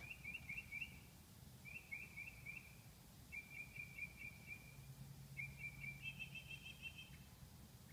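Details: Male northern mockingbird singing in the night at 2 am, quick stuttered chip notes in four brief phrases, the last shifting to a higher, faster trill, with low background hum throughout.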